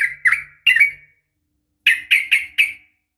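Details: Female sooty-headed bulbul giving uplik tarung calls to rouse males: two slurred chirps over a faint low hum, a pause, then four quick rasping notes in a row.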